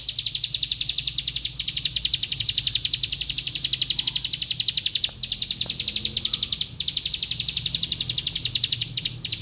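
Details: Sustained 'bren' song from a bar-winged prinia, a relentless high rattle of crisp repeated ticks lasting many seconds with only tiny breaks, over a low rumbling background.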